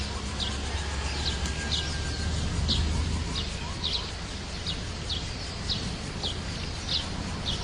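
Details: Wild sunbird giving thin, high downslurred chirps, repeated roughly every half-second in a steady series, over a low background hum.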